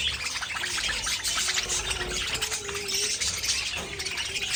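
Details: Pet budgerigars chattering in a dense, continuous stream of high, scratchy chirps and warbles, with a few lower, drawn-out tonal notes running underneath throughout.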